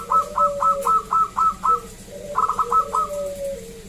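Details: Local zebra dove, used as a lure to prompt other zebra doves to sing; bright stuttering coos in quick rapid series, about four notes a second, with a softer lower cooing dove in the background.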